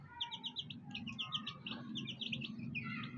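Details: Black hen with fighter chicks; many chicks give high, thin peeps in quick overlapping bursts, some rising and falling, with a low rumbling background throughout.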